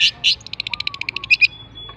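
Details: Long-tailed shrike from Java, singing: a fast run of short, even chattering notes, about a dozen clipped high chips in quick succession, bracketed by louder harsh bursts, with faint thin whistles underneath and a brief sustained high tone at the end.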